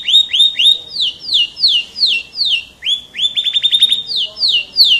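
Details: Singing F1 canary: rising and falling whistled notes in quick series, a burst of rapid clicking trills, then more sweeping downslurs, loud and clear.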